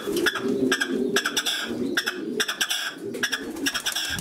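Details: Male red-legged partridge in song, giving rapid runs of rasping, percussive chuck notes, about two per second in uneven groups, with a constant low hum underneath.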